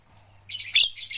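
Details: Javan myna in training to become a fluent singer: after a near-silent start comes a loud, hissing, broadband rasp lasting about half a second, peaking in a sharp squeaky note, then a brief dip and another rasp.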